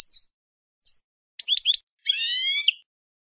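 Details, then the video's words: European goldfinch song on a tutor recording for young birds: two thin high chirps, a cluster of quick clipped notes, then a longer, nasal, harmonic-rich note, with silent gaps between. "شريط لغة الحسون"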